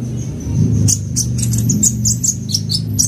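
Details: Van Hasselt's sunbird giving a fast lure sound: high piercing chips and brief downslurred whistles in a rapid run, over a loud low droning hum.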